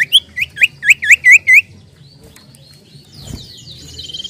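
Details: Common iora song used as a lure for birds, known locally as cipoh or sirtu: a quick run of seven bright, upswept whistled notes in under two seconds, followed by quiet and a faint high trill.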